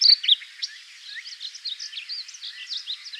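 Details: A male Painted Bunting in South Texas, singing from the top of a fence post, gives a rapid, sweet warble of high slurred notes that tumble up and down without pause, loudest at the start.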